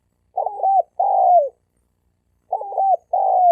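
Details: Male spotted dove issuing a fighting challenge to rivals, recorded 2020: two phrases, each a broken, pulsing coo followed by a longer smooth coo falling away at the finish.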